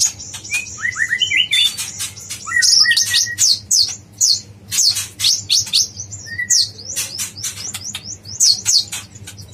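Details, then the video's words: Yellow-vented bulbul training song, dacok blorok style: opens with soft stepped whistles, then breaks into rapid, loud, high descending chirps and slurs repeated in quick succession. "masteran konin dacok blorok super gacor"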